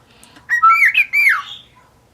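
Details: Pet white-faced cockatiel, a male starting to talk, whistles a short warbling phrase with rising and falling notes lasting about a second, indoors.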